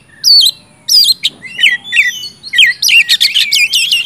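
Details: Brief burst of oriental magpie-robin song, used as a prompt for silent birds, with twisting whistled notes, a thin high trill and a dense scratchy ending.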